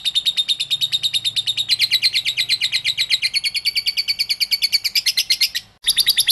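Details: Lovebird song meant to stimulate lovebirds into singing: rapid sharp chattering chirps running continuously, gradually rising in pitch, with a brief break near the end before resuming.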